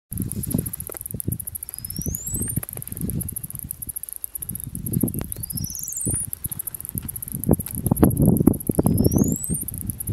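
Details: Gray-winged inca-finch, a Peruvian endemic of the middle Marañón valley in northern Peru: thin, high whistles slurring steeply upward, given three times about three to four seconds apart, over loud low crackling noise and a constant high insect buzz.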